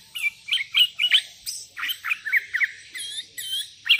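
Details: Sooty-headed bulbul calling energetically to provoke rivals, wild birds joining in; a quick run of bright chirped and warbled notes, roughly two or three per second, crisp and close.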